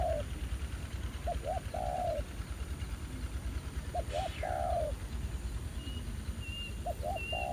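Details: Spotted dove, a wild bird reacting aggressively to a ground decoy used for trapping, at an old site revisited after a year. Low cooing phrases, two short notes then a longer drawn coo, repeat about every three seconds over low rumbling, with faint high thin whistles.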